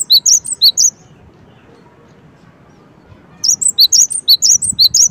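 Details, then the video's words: Cinereous tit with a short burst of sharp, high chirps, then a pause of over two seconds, then another fast run of alternating high and slightly lower notes, low hum underneath. "suara gelatik batu"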